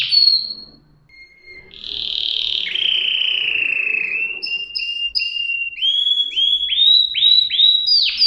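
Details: Canary song that opens with a brief high whistle and a quiet pause, then long steady whistled notes and paired short tones, ending in a series of swooping descending notes.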